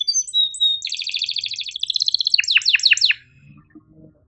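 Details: Canary song meant to teach canaries that rarely sing: a few high whistles, a dense rolling trill, then four or five sharp descending chirps before fading.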